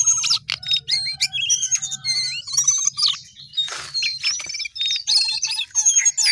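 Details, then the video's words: A Sooty-headed bulbul in full voice gives a busy run of piercing chirps, clipped whistles and short buzzy bursts, nearly continuous throughout, with a faint low hum underneath. "jongkangan gacor"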